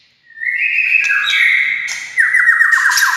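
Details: A murai batu, or white-rumped shama, sings to provoke other shamas: a long rising whistle swells into a sustained ringing note, then breaks into a fast descending rattling trill.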